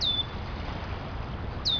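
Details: Angry male Red-winged Blackbird near his nest of eggs in Ontario, Canada, scolding an approaching person: two thin, high, descending whistled notes, one at the start and one at the end, over low background rumble.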